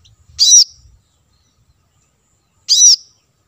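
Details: Plain-throated sunbird, a lure recording meant to attract wild birds: two sharp, high, slightly buzzy notes about two seconds apart, with faint low thumps before the first.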